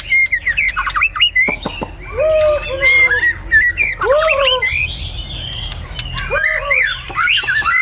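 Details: White-rumped shama singing in the morning in Vietnam, mixing low arched whistles with higher chattering phrases and a few sharp clicks, against a quiet low hum.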